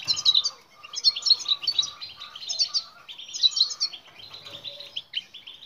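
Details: European goldfinch song used to coax silent goldfinches into singing: loud phrases of rapid tinkling notes and buzzy twitters, bursting out roughly every half second.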